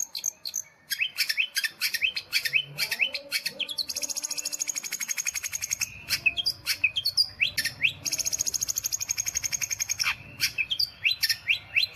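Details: Long-tailed shrike song in the nitik style: rapid, continuous high twittering, with sharp rising and falling chirps and long buzzy, trilled stretches. Notes repeat quickly and densely throughout, with a faint low rumble in the background.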